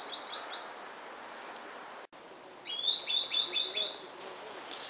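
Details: Green sandpiper spring song, dated 24 January 2015: a run of faint repeated whistles, then a louder, clear burst of five rapid, evenly spaced ringing notes, each slightly upslurred, in a calm setting.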